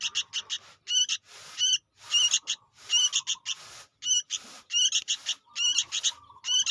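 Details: A lively young sooty-headed bulbul used for luring repeats scratchy double and triple notes in an almost continuous run, with occasional lower whining tails and faint rustling between calls.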